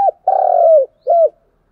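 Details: Lure call of a spotted dove used to excite decoy birds: a clipped coo, then a long vibrating coo that slides downward, ending with one short rounded coo.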